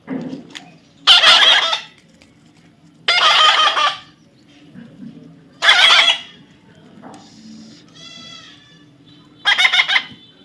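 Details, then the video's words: Baby parrot being tamed gives four harsh, buzzy squawks, each about a second long and spaced irregularly. Quiet background with a faint low hum. "natural funny parrot sound"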